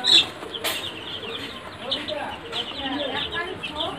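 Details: Sonali chickens, a golden chicken breed, on a farm: a dense chorus of high, quick peeping chirps from many birds, opened by a sharp loud burst, with fainter lower chirps scattered through.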